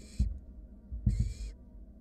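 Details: Two hoarse, airy snoring hisses from wild barn owl nestlings cuddling in their nest box as a sibling swallows a rat, the second longer, with dull thuds of movement.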